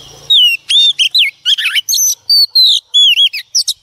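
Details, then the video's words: Wild-caught female Oriental magpie-robin singing to excite male birds. A rapid, varied string of loud whistles, slurred upward and downward, is mixed with buzzy and rattling notes, about ten phrases in under four seconds. "choè than mái bổi lên kích trống quá hay phần 2 | Kích Choè Than Hót"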